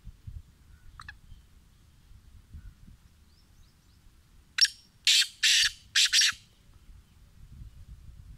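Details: Black francolin, called kala tetar: a brief faint chirp, then a quick burst of four harsh, grating, broadband notes over about two seconds, with low rumbling background noise throughout.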